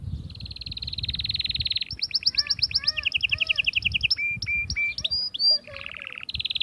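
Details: Atlantic canary song meant to excite females for mating. It opens with a sustained rapid trill, then shifts through quick repeated whistled phrases and chirps, with several changes of trill type, ending in another fast rolling trill.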